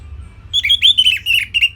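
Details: Orange-headed thrush giving a simple tutor song for training songbirds: a quick run of bright, squeaky whistled notes in short bursts, close together, with a faint low hum beneath.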